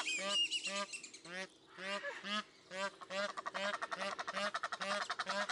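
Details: Egyptian goose at Upie Zoo's bird garden in Drôme, France, giving harsh, nasal honks that speed into a rapid, rhythmic cackling series of about two notes a second, over a low regular pulsing beneath.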